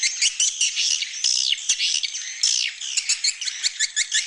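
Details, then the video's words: Swiftlet roosting call played inside a swiftlet house's roosting room, mixing chick and adult voices: dense overlapping buzzy, raspy chirps and chatter, many birds calling at once with short rapid clicks toward the end. "Suara Inap Burung Walet"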